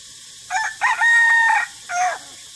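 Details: Crowing from a kept white-and-gray jungle fowl rooster praised for its fine crowing: a clipped first note, a rising second, a long even middle stretch, then a separate falling last note, with faint insect hiss behind.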